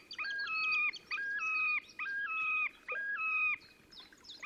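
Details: Terek sandpiper giving display song on 30 April 2019 at Lipovaya Gora near the Pra, Oka Nature Reserve, Russia: four clear whistled phrases, each a stepped, yodelling rise and fall, repeated with short gaps over a low background hum.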